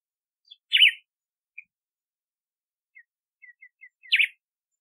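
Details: Red-cowled cardinal, or galo de campina, giving two bright zigzag whistled notes several seconds apart, with a few soft short chips between them in an otherwise quiet setting.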